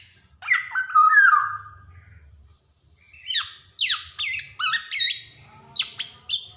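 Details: Black-naped oriole recorded as training material for young birds: a harsh nasal squawk, then a quick series of sharp, high, downward-flicking chirps over a faint low hum.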